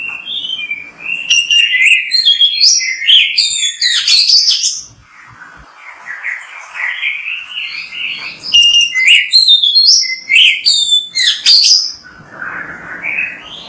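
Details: Oriental magpie-robin (kacer) in energetic, lively song: a rich, varied stream of sweet whistles, sharp chirps and rapid buzzy trills, with a short quieter pause midway before the bright phrases resume.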